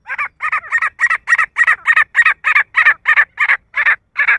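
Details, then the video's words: A male grey francolin gives a fast run of about fourteen harsh, ringing notes, roughly three each second, steady in pitch, with nothing else heard. "nar teetar ki awaaz titar ki awaaj partridge sound"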